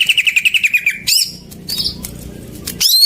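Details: Greater green leafbird song used to get silent birds singing: an even trill of about ten quick notes gliding slightly downward, then a bright sweeping whistle and a brief buzzy note.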